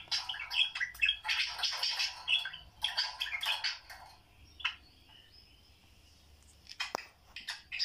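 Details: Pet budgerigars indoors, watching videos, giving a busy warbling chatter of short chirps and squeaky notes, then a quieter pause and a few final sharp chirps.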